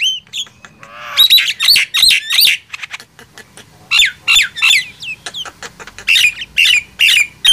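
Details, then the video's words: Black-winged myna and Nias hill myna trading loud gemboran song; rapid groups of sharp, ringing whistle-squawks repeated several times a second, separated by short quiet spells. "Adu keras gemboran jalak nias vs jalak kebo"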